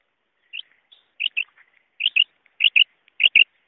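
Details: Female quail call, used in hunting, heard as crisp paired chirps repeated roughly every 0.6 seconds, with faint softer notes between pairs and a sharp click near the end.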